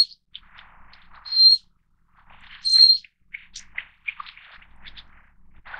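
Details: A Little Forktail (Enicurus scouleri fortis) gives two thin, pure, very high whistles about a second and a half apart, ringing almost metallic, with softer scattered chirps and ticks around them.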